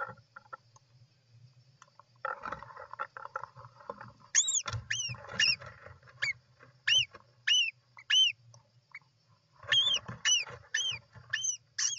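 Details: European roller at the nest on 29 June 2024: muffled scratchy shuffling and low chatter lead into bursts of quick arched whistled notes, each rising then falling, in runs of four to five.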